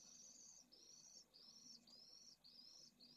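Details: Pallid swifts at a school nesting colony in Jerez de la Frontera, Spain, in heat above 45ºC. Fainter, thin, buzzy high trills repeat about every half second over a noticeable low hum.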